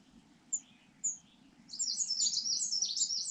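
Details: Rufous-bellied niltava nest in Yunnan, China: two isolated sharp high chips, then an abrupt burst of rapid, shrill twittering that continues strongly to the end.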